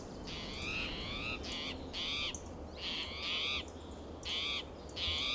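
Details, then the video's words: Agitated spotted towhee hopping between branches in Del Monte Forest, California, one June morning; a run of six raspy, harmonic mew calls, each slightly falling at the end, spaced roughly every second, low rumble beneath. "Agitated Spotted Towhee Sounds Alarm in Del Monte Forest"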